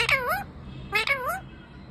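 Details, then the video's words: Parrot sitting in a tree and talking non-stop, producing two drawn-out, voice-like syllables that dip and rise in pitch like human speech, against a soft background hiss. "Cute 🥰 Talking Parrot 🦜"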